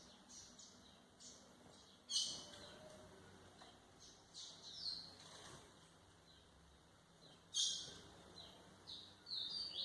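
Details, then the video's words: Distant White-throated seedeater song for tutoring young birds: scattered high chirps and two sharper bright bursts, spaced by quiet gaps with steady background hiss. "canto de golinha para foquear pássaros"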